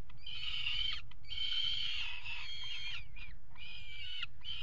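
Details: Peregrine falcon pair at a nest box on a water tower, mating on the ledge in early February: long harsh wailing calls in drawn-out bursts of about a second, with short gaps, over a constant low rumble.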